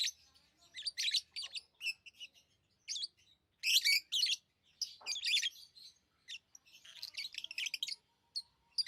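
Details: Pet lovebirds chatter with piercing, squeaky chirps and short raspy notes, irregular bursts that pile up near the end into a busy twittering run.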